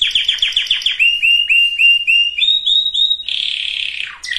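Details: Canary singing, aimed at preparing females and males for breeding: quick descending chirps, a series of evenly spaced rising slurs stepping higher in pitch, then a dense buzzy trill.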